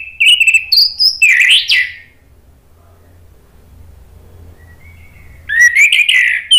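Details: Orange-headed thrush delivering lively ngeplong song: a run of whistled notes sliding upward, a long quiet gap with faint hum, then a fresh burst of rapid, bright, jumbled whistles.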